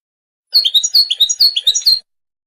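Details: Goldfinch song: a quick run of about ten high, slurred notes, each dipping then rising, delivered in a bright twittering burst lasting about a second and a half against a quiet background.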